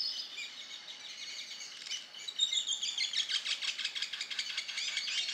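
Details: Young male Amazon kingfisher singing from vegetation along a lagoon in an ecological park in Campinas, São Paulo, Brazil: high, dense chattering notes that become a rapid, pulsing series of sharp notes in the second half, with a flock of black-bellied whistling ducks calling behind.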